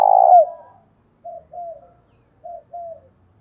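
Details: Spotted dove acting as a decoy to call in wild doves, 'thổ đồng' voice: a loud coo fades out, followed by two pairs of soft, short, low cooing notes.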